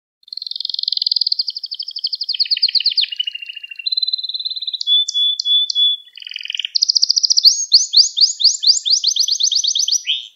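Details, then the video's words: Singing canary, part of a continuous training recording for young birds: long rolling trill, a flat whistled tone with short notes, a brief buzzy roll, then a bright descending series of rapid notes. "Müthiş Ders Gibi Kanarya Sesi Ve Ötüşü 60 Dakika Kesintisiz"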